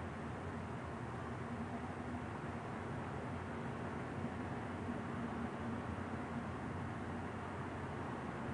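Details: Steady, even roar of broadband noise like distant traffic or wind, with no animal calls heard throughout.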